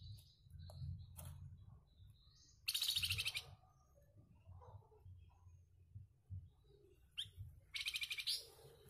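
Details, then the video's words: A flamboyan songbird, kept as a master tutor bird, gives two loud, harsh, rasping bursts, each about half a second long, between short high chirps and scattered thin notes over a low background hum. "FLAMBOYAN GACORR,SUARA KASARNYA KEREN"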